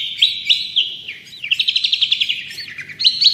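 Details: Long-tailed shrike singing vigorously, a recording meant for tutoring and prompting other songbirds: a steady high whistled tone with sharp upward flicks, then a fast buzzy trill sliding slightly lower, and a final burst of rising notes.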